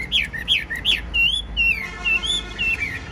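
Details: Chinese hwamei, a tamed cage bird with a spread tail, singing loudly: three quick rising-falling whistled notes, then long smooth wavering whistles, over low hum.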